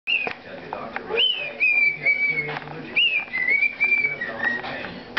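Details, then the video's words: A pet bird sings to a baby, whistling clear, sliding phrases that rise, then dip and level off, repeated several times over a soft household murmur. "Bird Sings to Baby"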